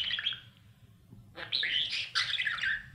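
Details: Budgerigar chicks inside a nest box being fed by their parents during the breeding routine: two bursts of raspy, buzzy chirping with a quiet gap between them, over a low indoor hum.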